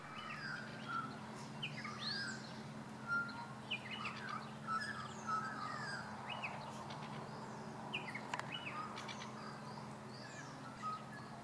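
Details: Australian magpie in Tasmania singing at a distance: scattered warbled and whistled notes with short rising and falling slurs, fairly quiet against constant noisy background and a low hum.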